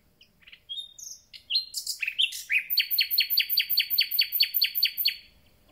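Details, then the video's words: Recently arrived common nightingale in full song: a few varied introductory notes, then a long, even series of loud, ringing repeated notes at over two per second, fading out cleanly. "Słowik rdzawy i jego piękny śpiew"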